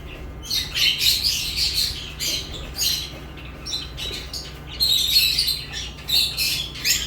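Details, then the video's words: Lovebirds chirping: harsh, high-pitched squawky chirps in bursts with short pauses, partly overlapping, against a low steady hum. "Love birds chirping sounds"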